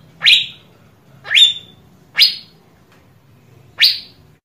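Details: Asian fairy-bluebird, in audio meant to set other birds singing: four loud, ringing rising whistles at about one-second intervals, the second with a brief warbled end, over faint hum.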